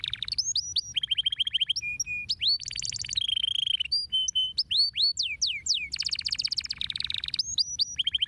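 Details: Canary singing, meant to stimulate other birds to sing: a continuous, fast-changing run of high whistled notes, rolling trills and sweeping rising and falling slurs, each phrase repeated several times before the next begins, with no other clear sounds.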